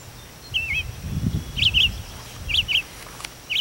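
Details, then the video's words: Mockingbird calling at daybreak from a chimney, heard inside through the fireplace; short whistled chirps with a wavy bend, given in pairs, over low rumbling indoor noise. "Mockingbird Alarm clock!"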